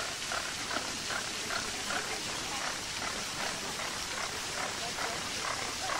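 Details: A flock of flamingos at Marwell Zoo, UK, keeps up a chorus of repeated short honks with a brisk, regular beat. Continuous fountain water noise fills the background.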